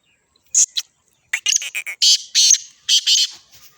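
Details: Black francolin in Sindh, Pakistan, recorded on 29 March: loud, harsh, grating high-pitched notes, with a short pair of notes followed after a pause by a rapid run of scratchy, buzzy syllables; very close and overloaded.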